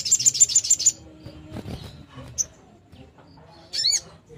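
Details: Long-tailed shrike in the 'nembak' song style, meant to stir other shrikes to sing; opens with a rapid run of about six high, sharp repeated notes, a lone squeak midway, and later a brief buzzy, wavering descending phrase amid low rumble.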